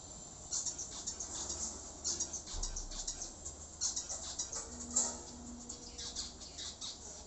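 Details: Pet zebra finches, a mother and her baby, giving rapid, high, scratchy squawking calls in quick bursts, several per second, with a faint low hum behind.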